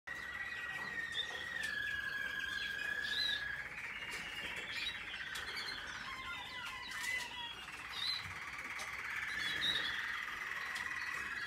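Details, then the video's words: American Singer canary in training, recorded in 2021, singing a steady ringing band of tone laced with quick chirps and short trills, with soft rustling and fluttering in the background. "American singer canary"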